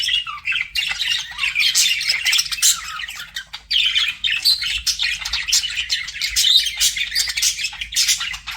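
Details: Pet budgerigars flirting, a dense stream of rapid warbling chirps and harsh squawky notes packed together without pause, several birds chattering at once.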